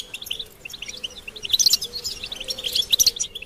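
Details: Goldfinches in a stimulation recording of mating calls: softer scattered twitters at first, then louder bright high chirps and tinkling bursts in the second half, uneven rhythm.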